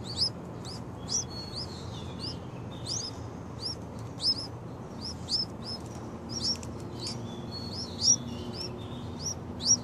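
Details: Six-day-old Yellow-vented Bulbul nestlings give thin, high, rising chirps, several voices overlapping, one or two each second over a low steady rumble.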